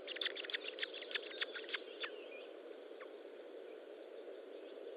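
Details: Osprey at its nest during feeding, late morning on 25 June 2012: a quick burst of short, sharp chirps repeated rapidly for about two seconds, then fading to a few scattered notes over steady background hiss.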